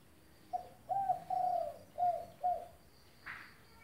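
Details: Spotted dove cooing gacor: a run of five low hooting coos, the middle pair longer and slurred, spaced roughly half a second apart, then a brief faint high chirp from another bird.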